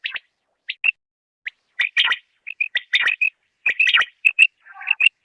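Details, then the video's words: Rain quail call used as a lure for quail hunting in Khyber Pakhtunkhwa, Pakistan: short, bright doubled notes repeated irregularly, mixed with other sharp chirps and buzzy broadband notes. "Batair ki Awaz"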